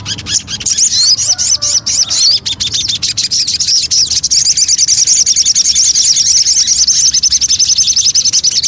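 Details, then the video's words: Javan cochoa, called sogon, as a lure: a burst of high rising chirps among sharp clicks, then a long, even, very fast trill of thin high notes to the end. "Pancingan Burung Sogon"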